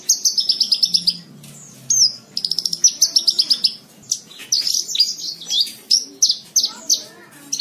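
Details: Javan bush lark, called branjangan, singing in a recording meant to train cage birds. Fast runs of identical sharp high notes alternate with varied twittering phrases and slurred whistles, with hardly a pause.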